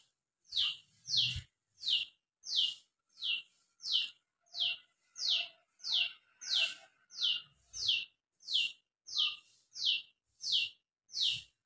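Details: A sword-billed hummingbird calls with sharp, high, downslurred chips, about one every three-quarters of a second, steady and evenly spaced, with faint background murmurs.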